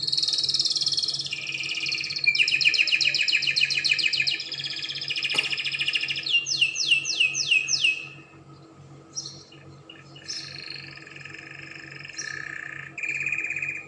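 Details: Spanish Timbrado canary singing: a loud high trill sliding into rapid repeated notes, then a run of six falling whistled sweeps, ending in softer scattered chirps and a brief buzzy phrase.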